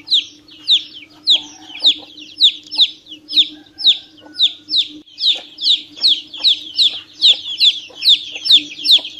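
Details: Young chicken peeping nonstop, a long run of high, down-slurred cheeps at an uneven quick pace, with a brief faint lower tone early on and a low hum throughout.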